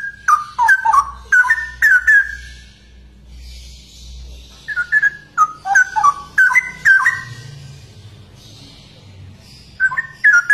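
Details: Cucak rowo, the straw-headed bulbul, pouring out a long bubbling warble of loud, clear whistles that tumble up and down in fast clusters, with a brief lull midway and a closing pair of fluty notes.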